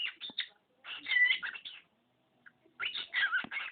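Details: Pet budgerigar, male, chattering mimicked human phrases and sneezes: two long bursts of rapid, harsh, raspy syllables split by a short silence, loud and close in a quiet room.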